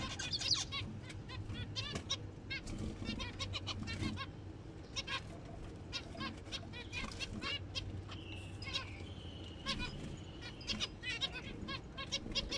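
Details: Zebra finches in breeding season give dense, repeated nasal beeps and short chattering notes, several birds overlapping, over a low steady hum and some wing flutters.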